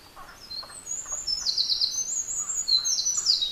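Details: A Eurasian wren's powerful song rings through mountain beech woodland in Japan, with quick high trills and buzzy rattles strung together, while faint lower calls sound in the background.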